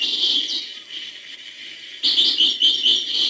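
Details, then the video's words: European goldfinch, hbal song style, opening with a brief high twitter, then a lull, then a lively run of sharp, high chirping notes. "chant chardonneret hbal"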